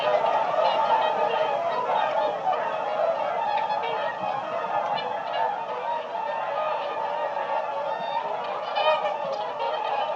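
A flock of swans keeps up a dense, continuous chorus of overlapping nasal honks and bugling calls, with no gaps and no other clear sounds.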